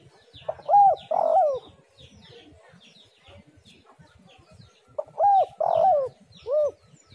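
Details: Spotted dove calling to attract other doves: two low phrases, each a quick arched hoot, a fuller coo and a final bending note, separated by about four seconds of quiet with soft chirps of small birds behind.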